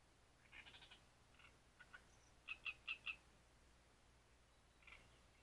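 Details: Great reed warbler at Grachevka delivering a scratchy, chattering song: a few rough introductory notes, then four loud, evenly spaced harsh syllables, a pause, and a final grating note.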